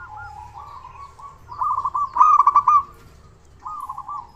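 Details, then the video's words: Loud local zebra dove recorded to make other doves call: soft looping coos build into a bright rapid trill, then a pause before a short, lower rounded phrase. "Perkutut Lokal Gacor Suara Besar Pancingan Burung Perkutut Agar Cepat Bunyi"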